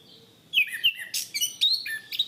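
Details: Chestnut-capped thrush in a cage-bird training recording: a brief lively phrase of high sliding whistles, sharp chips and a buzzy note, repeated in quick succession over about two seconds.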